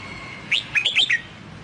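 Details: Red-whiskered bulbul, a newly bought wild-caught bird in training, singing in the Sông Kon song style: one quick phrase of four or five bright whistled notes, rising and falling, lasting under a second, over quiet background hiss.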